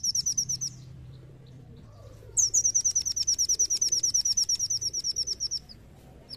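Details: Brown-throated sunbird song played as a lure to get other birds singing: a short burst of high chirps, a pause, then a long rapid trill of sharp, high, evenly spaced notes lasting over three seconds.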